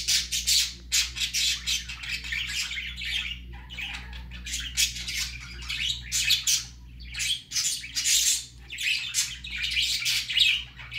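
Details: Baby budgerigar going out for the first time keeps up a continuous stream of scratchy, buzzy squawks and chirps, rising and falling in loudness with short gaps, against a soft low hum.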